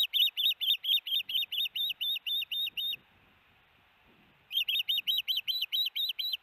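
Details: At the Hellgate nest, 13 June 2018, an osprey gives a run of sharp, high piping chirps as a large fish arrives. The run breaks off for about one and a half seconds, then resumes at the same quick pace.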